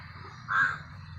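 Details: A crow gives one harsh, hoarse caw lasting about a third of a second, over a low steady background hum, near a drying irrigation canal where a waterbird sat.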